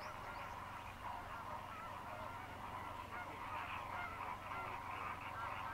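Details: Greater flamingos, a flock of over 6000 dry-season migrants fishing in lagoons on Mannar Island, Sri Lanka, in rain: dense, non-stop honking chatter of many overlapping nasal calls, steady and unbroken throughout.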